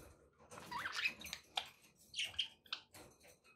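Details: Pet budgerigar chatter in a small room, continuous scratchy warbling with brief squeaky whistled notes and rasping bursts over a low background hum.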